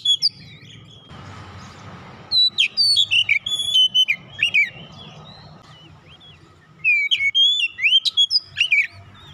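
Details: Lure song of an oriental magpie-robin, meant to get silent birds singing: a brief hiss, then a lively string of clear whistled and slurred notes, a pause, and a second fast, varied phrase, with low background rumble.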